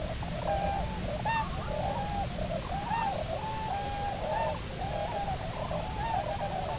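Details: Bermuda petrel (cahow), one of a pair back on Nonsuch Island, 29 October 2018, on a live cam: drawn-out, wavering moans with a slight upward slide, one after another with barely a pause, over low wind or surf rumble.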